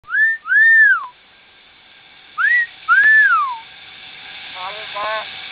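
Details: Bird singing at Kasem Island Resort, Kanchanaburi, Thailand: clear, loud whistled notes that arch up and then slide down, given in two pairs. Fainter murmuring follows near the end.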